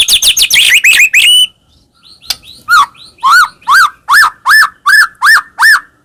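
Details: White-rumped shama song used to make caged birds sing: rapid rising notes, a brief pause, then loud arched whistles repeated about every half second.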